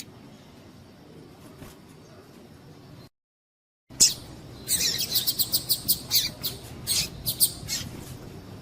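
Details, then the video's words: Female double-collared seedeater's call used to heat up males for singing contests: after a short silence, a lively run of quick, high, sharp chirps, uneven in spacing, lasting several seconds. "PIADO DE FÊMEA DE PAPA CAPIM PARA DEIXAR SEU PAPA-CAPIM DOIDO"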